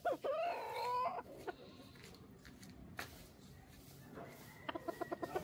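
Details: Rooster crowing close by: a loud, rising, buzzy crow about a second long, then a background hum and distant clucking notes repeated near the end.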